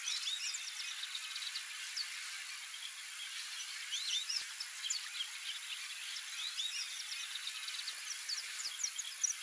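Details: At a Pantanal site, a flock of white-faced whistling ducks (Dendrocygna viduata) gives many short, high, clear whistles, overlapping constantly, over a steady background hiss.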